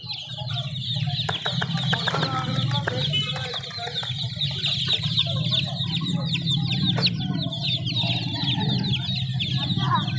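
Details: Young chicks peep continuously in high, rapid chatter over a steady low hum, with sharp clicks early on and a single knock.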